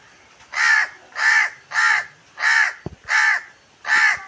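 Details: A crow, said to be calling its own kind, gives six harsh, nasal caws about every two-thirds of a second among gooseberry trees in a green natural setting, with a brief sharp knock between the fourth and fifth.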